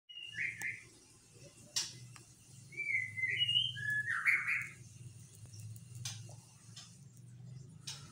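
A white-rumped shama gives a burst of rich, fluty whistled phrases, some sliding and warbled, over a steady low hum with occasional sharp clicks.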